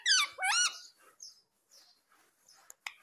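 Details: Talking parrot, said to say mummy and papa; two loud bending harmonic notes in quick succession, then faint scraps of sound and two sharp clicks.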